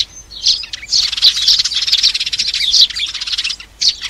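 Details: Sparrows calling the flock, a lure for trapping; a short opening chirp, then a long run of dense, buzzy overlapping chatter, and a final brief chirp burst.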